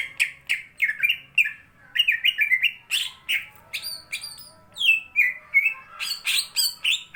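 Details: Fighting song of a greater green leafbird: continuous lively mix of rising whistles, sharp squeaky slurs and clicks in quick succession, loud and close.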